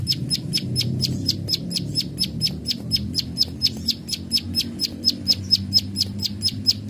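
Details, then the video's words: Plain prinia giving its "klik klik" calls in a full bout meant for tutoring other birds: a rapid, even train of crisp high clicks, roughly four each second, with a soft low murmur underneath. "Prenjak Sawah ( klik klik ) Gacor Full Tembakan"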